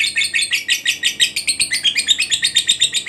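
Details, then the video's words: Fighter lovebird in ngekek chatter, used to trigger singing in other lovebirds: a quick series of shrill, buzzy rattling notes, about seven per second, with a faint low background hum. "LOVEBIRD FIGHTER NGEKEK PANJANG"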